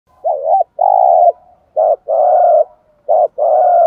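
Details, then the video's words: Decoy spotted dove in training, cooing to train newly caught birds: three loud, mid-pitched two-part coos, each a short warbled note then a longer steady hum, about every 1.4 seconds. No other sounds. "tiếng chiêm cu gáy luyện bổi mới"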